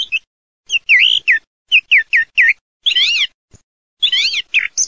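A song thrush sings bright, clear whistled phrases, some repeated two or three times in quick succession, with richer warbled flourishes between short pauses.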